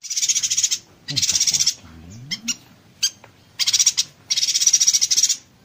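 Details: Yuhina singing the tight-shot 'konslet tembakan rapat' style used to tutor magpie robins and green leafbirds: long, sizzling, high-pitched rattling bursts broken by a few short sharp notes in the middle.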